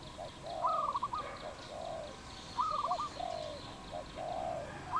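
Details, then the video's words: Dove recorded in the wild in Cambodia on 22 April 2020, giving soft low coos in short swelling notes, with two bursts of a higher rapid stuttering whistle from another bird between them. "លលកដី ឬ លលកបាយ? Dove, นกเขา, Bồ câu"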